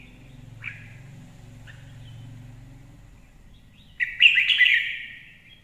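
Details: Red-whiskered bulbul singing, offered as a good lure recording: two short chirps a second apart, then a bright, bubbling warbled phrase over a faint low hum.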